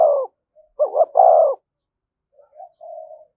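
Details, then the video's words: Spotted dove giving the thúc gù cooing style, used as a lure to draw in wild doves: a low mellow coo phrase, a short pause, then a stuttering double note running into a long smooth coo, with a softer fainter coo after. "cu gáy thúc gù bài bản dùng kích bổi hiệu quả"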